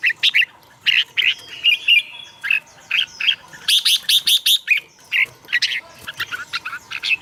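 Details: Red-whiskered bulbul song played to excite caged birds or lure others: bright, bubbly whistled notes in quick clusters, with a brief burst of sharp rapid chirps near the middle and a faint steady tone underneath.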